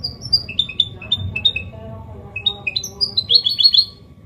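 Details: Goldfinch hybrid (mule) giving a clean Malaga-copy song for training males and chicks: varied high chirps and twitters at changing pitches, ending in a quick run of repeated bright notes, over a low background rumble.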